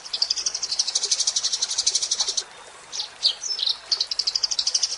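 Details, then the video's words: Lively Eurasian tree sparrow song, a fast run of high chirps in a buzzy chattering string, a short pause, then sharper separate tweets before the rapid chatter resumes. "Kicau Burung Gereja Gacor"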